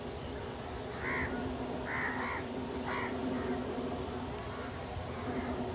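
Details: Crows feeding together with pigeons give three loud harsh caws about a second apart, then a quieter stretch with faint background calls and a constant low hum.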